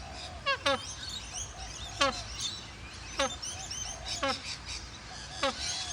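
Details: Australian native bird making what is called an annoying sound: harsh, descending, rasping calls, repeated about five times at uneven intervals, over steady broadband background noise.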